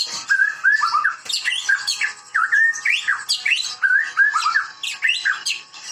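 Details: Medan-type white-rumped shama in full, vigorous song from a breeding setting: loud repeated phrases of rich fluting whistles, each followed by sharp high chips, returning roughly every second.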